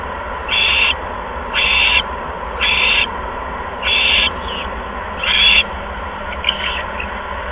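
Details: Owl bringing a second mouse to its nest, recorded on a live nest camera on 16 February 2015 at 8:38 PM. Five harsh, hissy screeches come about once a second, each roughly a third of a second long, over a low electrical hum.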